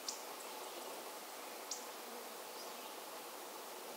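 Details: Indigo Bunting, believed a nonbreeding male, calling on Heaven Hill, Essex County, New York, Adirondacks, 27 May 2022: sharp, very high, clipped call notes spaced irregularly a second or so apart over steady hiss.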